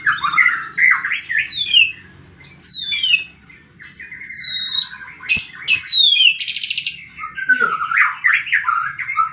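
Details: Fighting White-rumped shama singing loud, varied phrases: warbled whistles, downward-sweeping high notes, a buzzy burst and sharp clicks, with a faint low hum behind.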